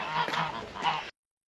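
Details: Domestic guard geese in a snowy winter farmyard honk loudly in a brief run of harsh, nasal calls lasting about a second, then stop abruptly.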